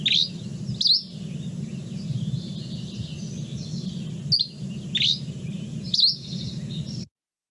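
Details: Dusky Flycatcher near Boise, Idaho, in dry coniferous forest habitat, singing short, high, sharp twittery chirped phrases with a flat note, about five in seven seconds, over a steady low hum.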